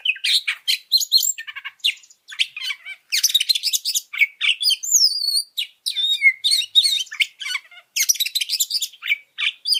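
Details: Oriental magpie-robin training song intended to agitate other birds: nearly ten seconds of dense, rapid mixed song, with scratchy chatters, piercing whistles, a clear looping whistled phrase midway and sudden loud bursts.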